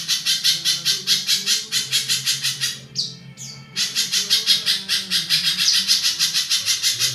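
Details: Harsh, extended song of a spiderhunter (pijantung), said to sound almost like a kingfisher; fast grating pulses roll on, break for a moment around two falling squeals, then resume.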